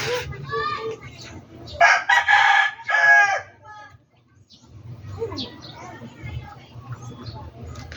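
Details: Chicken at a backyard poultry farm: a loud, harsh, drawn-out crow in the middle, with softer clucking and low background rumble before and after.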